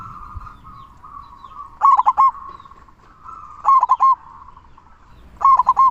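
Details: Local zebra dove with a big 'kung' voice: three loud bursts of quick, stuttering coos, about every two seconds, over a continuous soft cooing from another dove.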